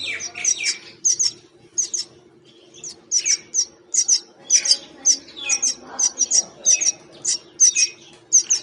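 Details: Wild common mynas, while feeding, give harsh, high chirps and squawks in quick bursts of several each second, over a low steady hum.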